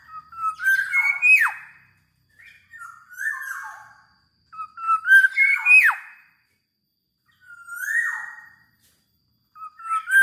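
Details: Vocal black-naped oriole repeats its song about every two to three seconds: phrases of rising liquid whistles ending in a quick downward slur, alternating with shorter single slurred whistles; the setting sounds quiet and indoor-like.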